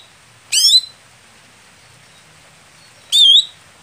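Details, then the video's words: Greater green leafbird, a contest bird that is slow to begin performing. It gives two loud, high, bending chirps about two and a half seconds apart, with quiet background between them. "Setting Khusus Cucak Hijau Saat Lomba Lamban Panas / Telat Kerja"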